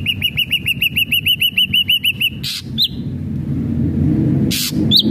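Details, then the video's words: Ashy drongo song used to prompt a captive bird to sing, opening with a brisk series of about fourteen identical arched whistled notes, followed by noisy bursts and two lone rising whistles over low hum. "SRIGUNTING ABU ABU GACOR PALING CEPAT BIKIN SRIGUNTING BAHAN JADI GACOR"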